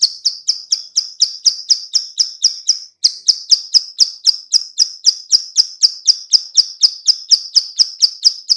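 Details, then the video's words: Clicking call of a female bar-winged prinia, used to lure birds: a steady, unbroken series of crisp high clicks, roughly four per second, for over eight seconds. "suara klik- klik betina/ciblek sawah cocok untuk pancingan"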